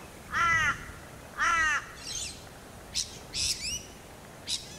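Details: Torresian crow on the Sunshine Coast, Queensland, filmed in August 2021: two harsh, nasal caws about a second apart, followed by shorter higher squawky notes and clicks, over steady low background rumble.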